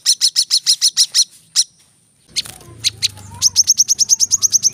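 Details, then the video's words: Brown-throated sunbird, known locally as kolibri kelapa or manggar, in a practice recording for training cage birds: quick series of high sharp chirps, a pause, then scattered notes and a fast even run of ticking notes over faint low hum. "kolibri kelapa | manggar | wiceh | masteran temabakan rapat bikin cepat gacor dan buka paruh"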